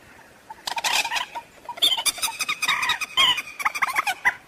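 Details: A waterhen gives harsh, noisy clucking and croaking bursts in a rapid, uneven series, with a few squeakier notes mixed in. The call is used as a lure for trapping birds at night.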